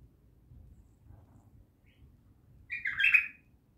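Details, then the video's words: Bulbul from Naft Khaneh giving one short, loud, warbled whistle phrase after a near-silent opening, with faint low background rumble. "بلبل خام نفط خانه"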